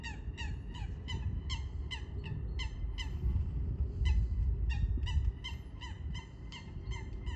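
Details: Eurasian coot giving rapid, honking calls with rich harmonics, each note dropping in pitch, delivered in an uneven stream about three per second, with constant low-frequency noise behind.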